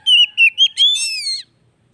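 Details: Oriental magpie-robin, a kacer, in a short loud phrase for a bird that has stopped singing: three clipped whistles followed by one long, steady, slightly rising whistle.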